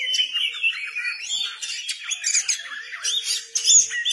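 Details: Song of a white-rumped shama performing with tail fanned open: continuous energetic medley of whistles, squawky notes and quick trills, loud and dense throughout, with a brief steady low hum late on.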